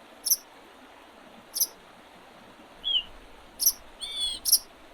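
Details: Spring bird sounds by the Oredezh River, Leningrad Oblast, Russia, recorded 8 April 2023. Isolated, very high, sharp chips sound at intervals, along with one short slurred whistle and a faint cluster of high tones, over soft background hiss.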